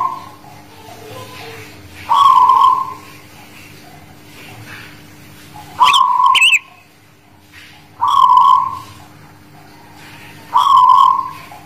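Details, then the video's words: Singing zebra dove, guling Murio style, from the Muria mountain area around Kudus: four trilled coo phrases about two to three seconds apart, each bursting on and fading out, with one brief click-like knock between them. "Suara Perkutut Guling Murio Manggung Tangguh Demak"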